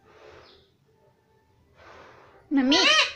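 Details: Pet talking parrot, said to say "mummy" and "papa", indoors in a small room: faint low murmuring, then one loud, sharp, rising-falling harmonic utterance near the end.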